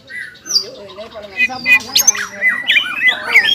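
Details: Greater green leafbird in gacor ngobra and jamtrok song: soft low chatter building into loud looping whistled slurs and rising squeals over the last two seconds.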